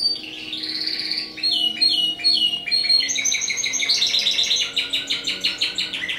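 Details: Timbrado canary from a breeder singing a continuous song of varied high trills, buzzy rolls and fast repeated notes that shift in pitch from phrase to phrase.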